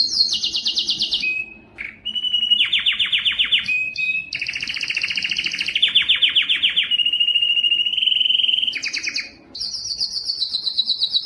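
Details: A yellow canary sings rapid rolling trills, switching between high sharp pulses and lower pulsed rolls. Short gaps separate the phrases, and the song runs continuously with no other sounds.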